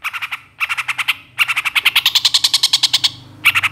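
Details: Long-tailed shrike master recording for training songbirds: fast rattling series of harsh, evenly pulsed notes in three runs, the longest rising slightly in pitch over about two seconds, with quiet low hum behind.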